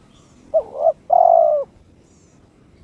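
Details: A single challenge phrase from a pet spotted dove in breeding mood: a brief doubled coo, a short pause, then one long steady hollow coo, in otherwise quiet surroundings.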